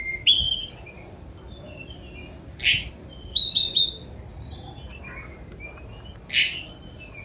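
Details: Varied song of a Sunda robin: clear whistled notes and quick descending slurs alternate with harsh buzzy bursts, in phrases broken by a pause near the middle, over a faint low hum.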